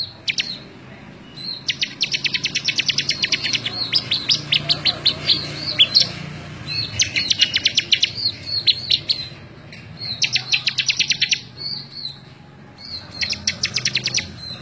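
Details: Bar-winged prinia in full song, in a May 2017 tutor recording made for training other birds: bursts of rapid, high, buzzy-ticking notes, each run two to three seconds long, separated by short whistled notes and brief pauses.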